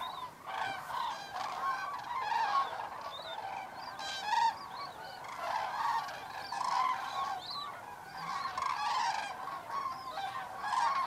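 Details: A large flock of common cranes flies in on the evening of 3 October 2018 at Federow, Germany, to unusually shallow water after a long drought. They give a dense, overlapping chorus of loud, rolling trumpeting calls without a break.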